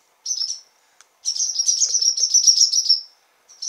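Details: Parent and newly fledged young barn swallows flying inside a stable in late June, young learning to use their wings. There is a short chirp, then a long run of fast, high, scratchy twittering, with a few faint lower clicks.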